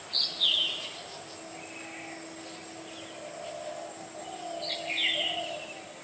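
A black-hooded oriole gives two short, harsh, slurred calls about four seconds apart over a steady insect hum and faint background noise.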